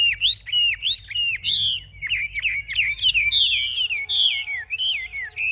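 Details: Fierce-fighting caged Chinese hwamei, wings lifted and tail spread, pours out loud, clear whistles that bend sharply up and down in quick succession with barely a break.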